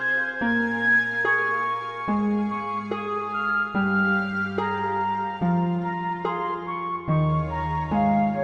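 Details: Slow, sad-sounding instrumental music with long held notes changing every second or so, with no animal sounds present.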